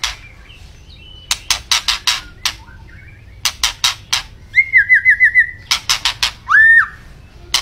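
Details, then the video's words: White-rumped shama in energetic song: quick series of sharp rasping clicks, a rapid trilled whistle of repeated wavering notes, more rasps, then a single loud upward-sweeping whistle. "Kicau Burung Murai Batu Gacor"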